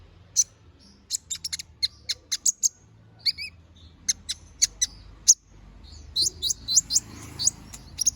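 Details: Canary singing in the lively 'gacor ngobra' style, used as a master song for training magpie robins: sharp high chirps and short buzzy bursts in irregular quick bursts, some tight clusters, with a busier run of notes near the end.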